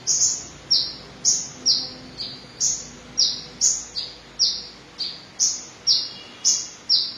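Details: Van Hasselt's sunbird, red-breasted, singing vigorously: very high, sharp, slurred notes alternating between a higher and a slightly lower pitch, about one per second in a steady run of fourteen, over faint background hiss.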